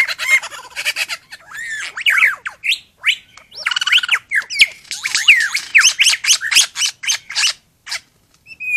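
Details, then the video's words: Non-captive superb lyrebird near Lakes Entrance in East Gippsland, Victoria, delivering a dense, loud medley of mimicked calls: rapid squawks, slurred whistles sweeping up and down, crackling rattles and chirps, nearly continuous for several seconds, ending in a brief whistle. "Superb Lyrebirds non captive"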